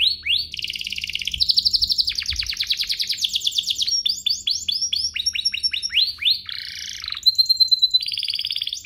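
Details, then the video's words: Canary song meant to stir other canaries to sing: a varied, continuous run of rapid trills, rising sweeps and rolling phrases, with changing tempo and a steady whistled note near the end. "Pancingan kenari biar GACOR, kenari manapun langsung naik emosi habis dengar ini"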